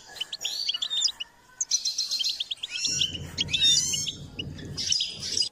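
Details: Goldfinch singing during a song-enhancement session: varied quick chirps, twittered phrases and buzzy trills in bursts, with a low droning hum underneath the second half.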